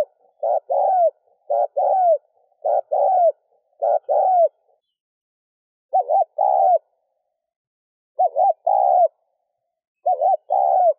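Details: Spotted dove cooing to stimulate a decoy bird. There are eight phrases, rapid at first, about one per second, then spaced two seconds apart. Each is a double-humped note plus a longer coo with a falling tail.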